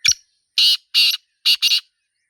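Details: Wild black francolin, known locally as Sindhi teetar, recorded in nature: a short sharp opening note, then four loud rasping notes, two drawn out and two closely paired, in a crisp phrase with a quiet background.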